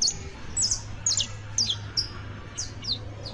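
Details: Juvenile Saffron Finch (canario basto) singing paired and tripled sharp descending chirps in short bursts, each group separated by brief pauses, with a steady low hum behind.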